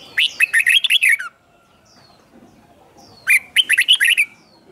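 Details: Doubled 'เบิ้ล' song of a caged red-whiskered bulbul, played so young birds learn it: two quick phrases of about eight bright chopped notes each, roughly two seconds apart, with quiet between.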